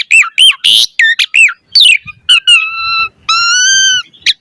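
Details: Lure recording of an Asian pied starling in 'gacor mompa' song: quick arched whistles and a harsh burst, then two long steady whistled tones, the second held nearly a second.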